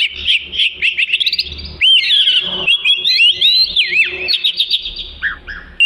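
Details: A small black-and-white Oriental magpie-robin with a long tail delivers a melodious tutor song: rapid jumbled chirps and twitters at first, then sweeping whistles and quick up-and-down slurs throughout.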